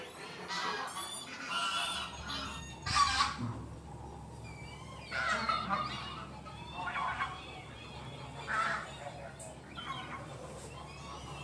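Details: Tundra bean geese at Oelemars, giving loud honking and cackling calls in irregular bursts, several birds overlapping, harsh nasal notes with some higher yelps, against a low steady background hum.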